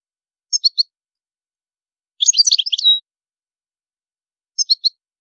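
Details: European goldfinch with high maqamat: a quick trio of high chirps, a dense twittering burst ending in a drawn note, then another trio of chirps after a pause.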